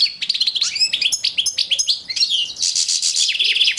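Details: A male European goldfinch kept as a pair with a female canary, 2012, sings a fast, tinkling stream of high twittering notes and liquid trills, with no pauses and nothing else audible.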